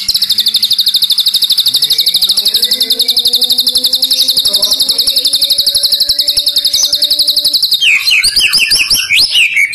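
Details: Fighting-style white-rumped shama holding a long rapid rattle of high repeated notes for about eight seconds, with faint low rising tones beneath, then switching to quick varied whistled phrases.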